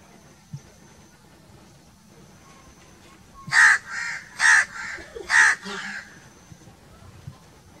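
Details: Crow cawing in a rapid series of three strong, hoarse calls, each trailed by a softer echoing note, in otherwise calm surroundings.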